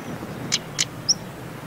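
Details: Female European stonechat calling in autumn, 17 October 2021, at an unusually warm 23°C, Gulf of Morbihan Regional Natural Park, Brittany: two hard, stone-tapping clicks about a quarter-second apart, then one thin, high whistle, over faint hiss.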